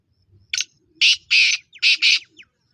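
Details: Loud scratchy call of a black francolin, locally kala teetar: a short lead-in note, then four harsh rasping notes grouped in pairs, the middle one longest, over a still, near-silent background.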